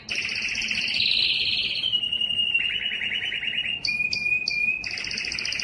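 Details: A yellow canary sings continuously, running loud rolling trills into a long steady whistle, then more trills and a few sharp high notes repeated in quick succession.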